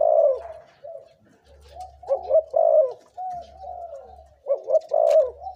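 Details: Decoy spotted dove, two to three years old and caged, among birds of big, middle and small voice types; loud, clear coos in paired rolling phrases about every second and a half, with a steady low hum behind.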